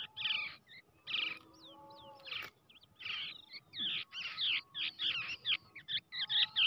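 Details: Brown shrike chick raised by hand from the egg gives begging calls: scratchy rasping notes mixed with a few thin rising whistles. The calls grow faster and denser toward the end, with a faint low tonal hum behind them.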